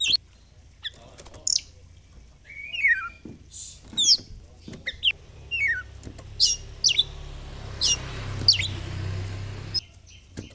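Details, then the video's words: Oriental magpie-robin singing, played as a lure to get a bird to open its tail: scattered sharp high chips and short descending whistles, with low rumbling background noise. "PANCINGAN BURUNG KACER BIAR BUKA EKOR"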